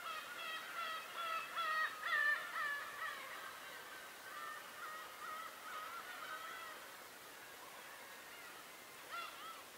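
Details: Bird voices recorded on Tobishima: a quick run of loud, nasal, harmonic calls in the first three seconds, then a softer overlapping chorus, and one more sharp call near the end.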